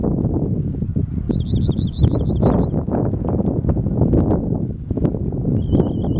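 A rock wren gives a high, rapid wavering trill lasting about a second and a half, then starts another, over heavy low rumbling wind.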